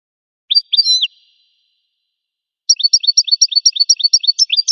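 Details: Wild American goldfinch singing: a short cluster of high, thin slurred notes, a pause, then a fast run of about a dozen bright, clipped chirps repeated at an even pace, with no other sounds.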